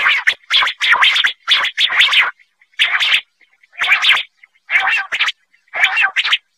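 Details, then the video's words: Quail calls played as a hunting lure: bursts of buzzy, rasping notes in quick runs, then short separated groups roughly every second, with no other sounds. "batair awaz, quail hunting 2023 l Batair mp3 single awaz l Quail Hunting Sound"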